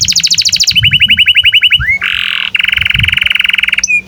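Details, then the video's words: Canary singing tutor phrases for young and silent canaries: a high rapid trill, a lower rolling trill, a short buzz, then a long dense buzzy trill ending in a single upward whistle. "SUARA BURUNG Kenari GACOR PANJANG INI Cocok untuk Masteran KENARI PAUD dan Kenari Macet BUNYI"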